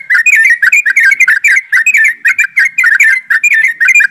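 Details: Dense group chatter ('ombyokan') of yellow-vented bulbuls in rapid 'ropelan' style, used to get birds singing: nonstop tumbling, whistled, bubbly notes in quick clusters without pause.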